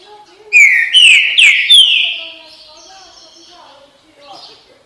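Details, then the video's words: Loud whistled phrase from a green-winged saltator in the "bom dia seu chico" style: four ringing notes, each gliding down, delivered rapidly, then fading into quiet background chatter. "canto trinca ferro bom dia seu chico"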